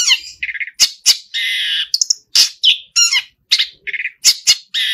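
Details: Long-tailed shrike in full song, alternating grating squawks, broad noisy bursts and brief clear whistles with short pauses, irregular and energetic.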